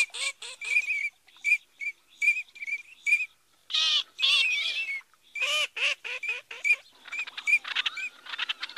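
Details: Eurasian teal (Anas crecca) giving short, ringing whistled 'krick' notes in quick runs, about two or three a second, mixed with harsher nasal quacking bursts.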